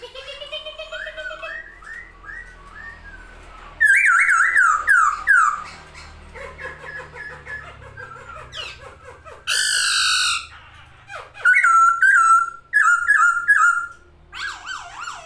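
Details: Masked laughingthrush singing indoors while opening its wings, mixing falling whistled notes, rapid chattering runs, a harsh burst and loud looping whistles over fifteen seconds.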